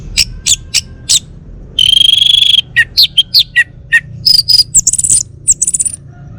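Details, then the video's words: Male Bali orange-headed thrush kept at home runs through a rich song: quick chips, a long even buzzy whistle, then varied falling slurs and high sweet phrases in rapid succession. "Kicau Burung ANIS MERAH Bali Jantan"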